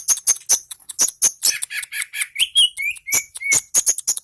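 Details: Long-tailed shrike singing in Indonesia with regular sharp high ticks, about one a second or faster, broken midway by a few piping whistles that slide from higher to lower pitch.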